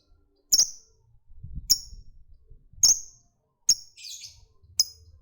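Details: Single sharp, high-pitched chirps from a lovebird, about five of them spread irregularly over a few seconds, with one short buzzy note in between and soft low background noise.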